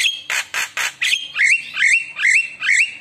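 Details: Javan myna song meant to prompt other mynas to reply: several harsh noisy squawks followed by a run of four wavering whistled notes, repeated about twice a second.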